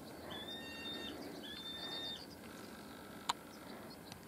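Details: Karearea, the New Zealand falcon, recorded at the Brancott estate in Marlborough near Blenheim in January 2020: two drawn-out, high, slightly rising whining notes, each under a second long, then a single sharp knock against steady low outdoor noise.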